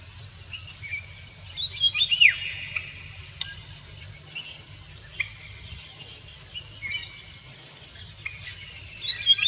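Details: Indian golden oriole, a male singing a courtship song to stimulate a female, who dances to it; a cluster of short fluty whistled notes near the two-second mark, then scattered quieter notes, over a steady high insect drone.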